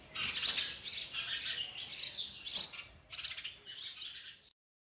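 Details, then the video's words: Nestling sparrows clamour while an adult tries to feed them oversized food; busy high-pitched chirps and twitters in quick overlapping runs, ending abruptly in silence. "Sparrow bird is trying to feed it's chicks oversized food"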